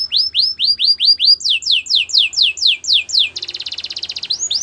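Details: Belgian canary singing for training: a string of clear looping falling notes in steady rhythm, breaking into a dense buzzy rolling trill near the end.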